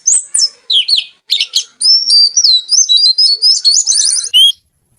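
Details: Oriental magpie-robin (kacer), a kept songbird, singing in Indonesia: a loud, varied run of bright whistled phrases and quick chattering notes, sliding and rising, packed densely over several seconds before stopping.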